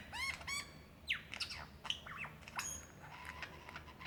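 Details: Lyrebird in Victoria's Dandenong Ranges National Park, February 2016, singing for a mate: scattered clicks, quick whistled slurs and short sharp notes, separated by brief pauses.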